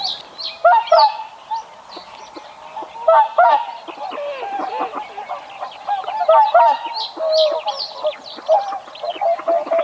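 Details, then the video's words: Greylag goose giving loud, nasal, harmonic honks in irregular bursts, with clusters of overlapping calls near the start, middle and end, suggesting more than one bird calling, separated by quieter gaps. "SOUND OF A GREYLAG GOOSE 🔊 What does a greylag goose sound"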